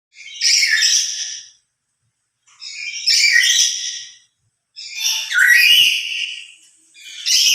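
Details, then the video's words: Lory giving its loud emotional call, louder when alone than among other lories: three harsh, screeching bursts, each about a second long with rich stacked harmonics, separated by short silences. "Suara lebih keras sendiri dari pada bersama burung nuri lain"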